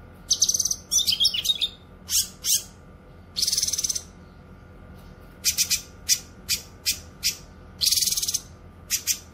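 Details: Actively singing cucak kinoy (Grey-cheeked Bulbul), used to teach songbirds and attract wild ones: scratchy churring bursts alternating with rapid clipped chirps and short whistles, several dense phrases in quick succession over a low hum.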